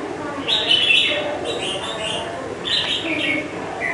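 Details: Red-whiskered bulbul, caged for five months, delivering a lively run of bright, slurred warbling notes in quick succession, rising and falling, with faint background noise.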